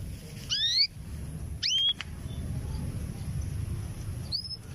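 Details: Caged female canary ready for breeding, calling to a male; two clear rising whistled upslurs about a second apart, then a quieter note near the end, over low background hum.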